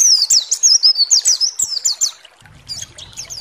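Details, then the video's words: A white-eye (pleci) sings a high, rapid twittering song of thin, sweeping notes, about three per second, breaking off briefly before resuming over a faint low hum; used as a lure recording to provoke other white-eyes to sing. "SEMUA PLECI GACOR BAKAL EMOSI DAN NGALAS BUKA PARUH"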